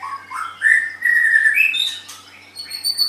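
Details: White-rumped shama, kept as a songbird, giving rising whistles that climb into a long steady whistled note, then higher thin notes, over a faint low hum.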